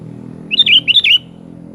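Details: Sooty-headed bulbul (kutilang) singing energetically ('gacor'): two bubbly, warbled phrases back to back, each dipping and rising in pitch, over a steady low hum.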